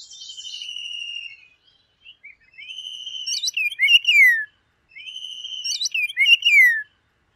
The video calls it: ORIOLE SONG